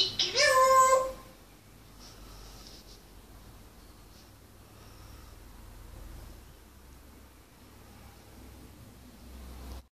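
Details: A 12-year-old pet grey parrot (Psittacus erithacus) mimics a cat, giving one convincing meow about a second long and loud with a slight fall at the end, then only quiet room hum follows.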